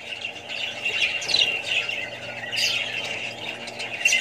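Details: Budgerigars among other birds and young ones: busy overlapping chatter of squeaky, scratchy notes and sharp squawks, with a few brighter squeals rising above the steady flock noise.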